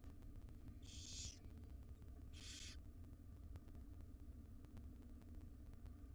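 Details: Five wild barn owlets in a monitored nest box, fed breakfast by their mother, give two harsh, broadband rasping hisses about a second apart over a steady low hum.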